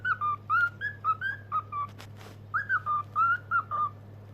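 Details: A cockatiel sings, whistling a quick run of clear, slurred notes, pausing briefly midway before resuming the tune.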